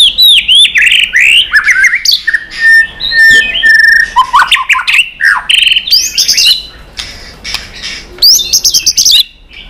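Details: White-rumped shama in heated competition singing, tail flicking: a loud, dense stream of varied whistles, harsh squawky notes and high trills, packed with many different voices, fading at the end.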